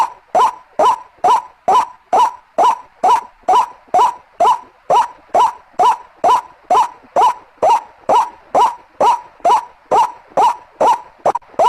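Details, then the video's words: White-breasted waterhen call recording used as a bird-catching lure: a steady series of short, harsh, upward-inflected croaking notes, about two per second, roughly 26 in a row, very even in rhythm with no other sounds. "Suara Pikatan ruak ruak"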